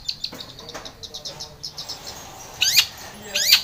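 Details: Long-tailed shrike singing energetically, played to provoke a silent, stressed shrike into answering: soft high chirped notes repeated about once a second, then two loud harsh rasping sweeps near the end.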